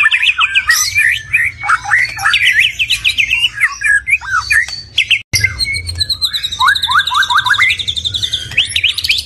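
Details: Stone magpie singing a rich, fast medley of whistled slurs, rising chirps and short trills that jump between low and very high notes, with a brief break midway and a steady low hum underneath.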